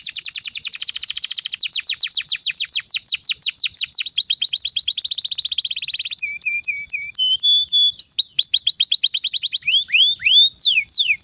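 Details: Long, lively canary song used to stimulate other canaries and tutor young or silent birds: rapid high rolling trills of repeated notes, then short buzzy phrases, ringing clear notes and sweeping downslurred whistles, with no other sounds.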